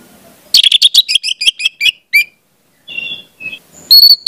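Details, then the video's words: Orange-headed thrush training song for spotted young birds: a rapid, descending series of sharp chattering whistles, a soft warbled note or two, then a piercing high whistle at the end. "pancingan anis merah, trotol dengarkan ini pasti jadi calon gacor"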